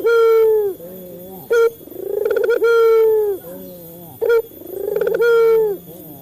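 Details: Male Barbary dove of a local strain giving a lure coo series for captive birds. Loud, steady, descending coos alternate with short bright notes and softer low trailing tones, about every three seconds.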